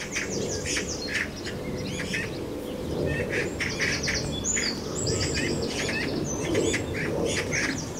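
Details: Magpies fighting around their nest at the bottom of a garden: harsh, broadband rattling bursts repeat throughout, mixed with thin high whistles and chirps from other birds over a low background rumble.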